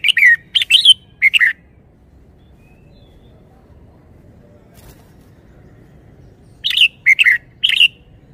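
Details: Red-whiskered bulbul song with good phrasing and lively style: two bursts of three loud, liquid whistled notes each, bright and slurred, separated by about five seconds of near silence with faint low background rumble.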